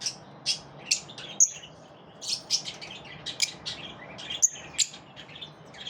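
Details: Lovebirds in the morning chirping: sharp high chirps and squeaky notes in irregular bursts, several birds overlapping, steady background hiss.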